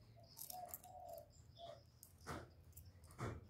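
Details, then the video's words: Spotted dove calling to stimulate and lure wild doves: soft low hollow coo notes in a short uneven series, with sharp high chirps of other birds and a steady low hum behind. "Cu gáy hạp bổi GÁY GỌI + THÚC + GÙ + BO kích bổi hiệu quả, cu đất gáy, tiếng cu cườm gù, cu bo"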